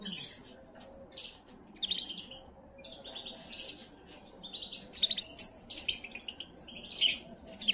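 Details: Singing canary meant to stimulate hens before breeding: long run of varied trills, rattling rolls and piercing whistled notes, growing busier and louder in the second half.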